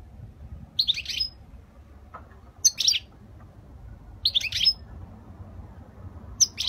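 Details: European goldfinch, Spanish-style error-free song from 2020: four short, high tinkling phrases of jumbled chirps and whistles spaced roughly every one and a half seconds, one faint lower note between them, steady low background hum.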